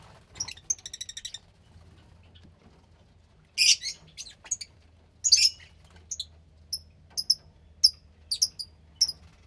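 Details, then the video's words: Young Fischer's lovebird, about 15 days old, kept in captivity: a rapid stutter of high notes, two loud harsh bursts, then evenly spaced thin chirps. "Lovebird Chick From Lutino & Pastel Blue Fischer"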